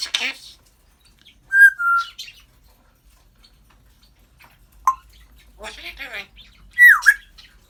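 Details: African grey parrot talking, laughing and burping: a rough opening call, a pair of clear level whistles, a short pop, murmured speech-like sounds, and a loud whistle dropping sharply.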